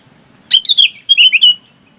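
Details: Quick pair of warbled bulbul phrases calling the flock, each a bright rolling chirp sliding down, the second more fluid and drawn out.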